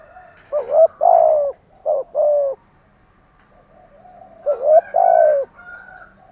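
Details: Spotted dove cooing in the morning: two low, hoarse phrases, each a quick double note then a longer drawn-out coo sliding slightly down, separated by about three seconds of quiet hum.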